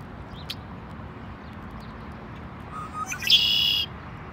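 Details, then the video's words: Red-winged blackbird: a few soft introductory notes, then a loud, high, buzzy trill held for about half a second near the end, with faint background noise. "Red Winged Black Bird"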